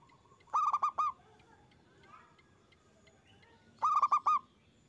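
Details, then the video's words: Local zebra dove (perkutut) singing loudly, used as a lure recording to make other doves answer. Two bursts of four rapid, hollow, bubbling coos, about three seconds apart, over a quiet background. "Perkutut gacor suara besar bikin ON nyaut buka paruh"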